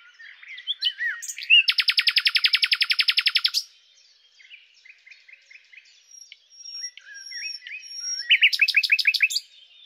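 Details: The common nightingale, Luscinia megarhynchos, opens with loud rattling trill of many rapid pulses, falls to quiet twitters and a thin high whistle, then ends with a burst of repeated rising notes.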